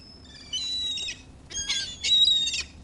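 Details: Seagulls calling while being fed, with harsh, nasal cries in two bursts, stacked bright harmonics, and a brief gap between them.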